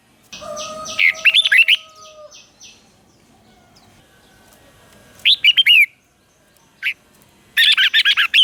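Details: Red-whiskered bulbul lure bird singing to draw wild birds in to a singing contest: scattered bursts of rich, warbling notes with long quiet gaps, and a few steady tonal lines near the start.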